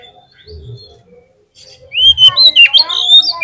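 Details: Lure song of an Oriental magpie-robin: quiet low thumps at first, then a loud burst of rising whistles and harsh chattering notes.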